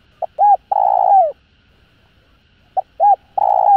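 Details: Two spotted dove phrases given to set other doves calling. Each is a clipped note, an arched coo and a long coo that falls at its tail, about two and a half seconds apart.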